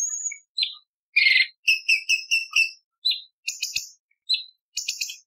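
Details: Sharp 'tembakan' variations from a cucak cungkok bulbul, recorded as training material for contest birds. A high whistle and one raspy burst, then quick repeated ticking notes, short slurred whistles and high fizzy phrases.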